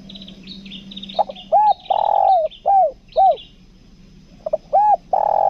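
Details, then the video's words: Spotted dove used as a lure bird, kuk dua style, Lombok: deep rounded coos in a phrase of short hoots and one longer note, repeated, while small birds chirp high and thin in the background. "PIKAT TEKUKUR KUK DUA"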